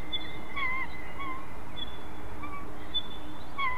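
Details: Wild white-tailed eagle family squabbling over prey in Ķemeru National Park, live camera: short whistled notes with bent, wavering pitch, about four spaced across a few seconds, over constant low hiss.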